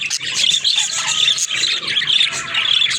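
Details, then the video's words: Dense high chirping and warbling from pet budgies, rapid scratchy notes tumbling over one another with no break. "Funny Talking Budgies"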